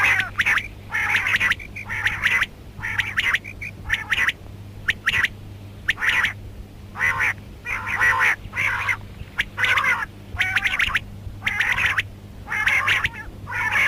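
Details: Female rain quail giving harsh, buzzy, nasal calls in quick succession, bursts varying from short clicks to longer grating notes about once a second, over a faint steady hum; labelled a karkari mix.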